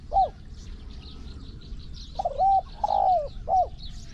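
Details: Spotted dove heard during decoy trapping with a pen trap in Thailand: a single short coo, then after a pause a full phrase of three coos with a long drawn middle note, over insect buzzing.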